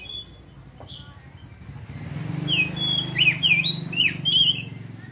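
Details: Oriental magpie-robin (kacer) in ngeriwik chattering style, opening up into full song: after a quiet start, a burst of sharp rising and falling whistled notes and quick twittering trills, over a steady low engine-like rumble.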